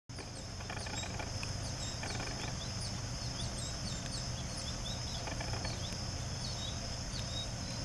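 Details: Young goldfinches begging in September as an adult feeds one juvenile and a second youngster pushes in to be fed; thin, high chirps repeat irregularly over a steady high insect drone, low rumbling hum and scattered clicks.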